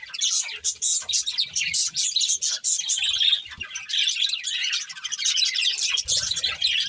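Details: A breeding pair of budgies chatters as they eat, giving a steady stream of quick high twittering chirps and scratchy warbles with only brief pauses and soft low knocks.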